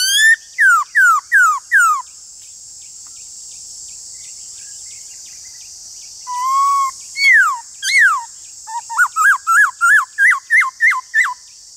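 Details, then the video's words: Black-throated laughingthrush in a singing duel with another laughingthrush: a run of five sharp falling whistles, a pause, then sliding whistled notes and a fast series of about ten short up-down whistles, with constant high hiss behind. "Khướu bạc má Hót Đấu với khướu ngoài"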